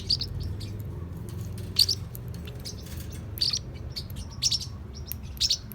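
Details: Young Forpus parrotlets, about 3-4 months old and playful, give sharp, high chirps in short bursts about once a second or two, over a steady low rumble of background noise.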